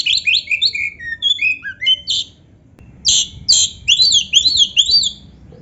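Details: Oriental magpie-robin in lively song mixed with canary phrases: a run of quick descending whistled notes, a brief quiet gap, then loud harsh bursts and repeated chirping slurs.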